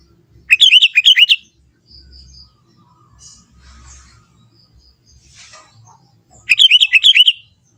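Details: Natural song of a young sooty-headed bulbul in forest: two bubbly warbled phrases about six seconds apart, with faint soft chirps and quiet between them.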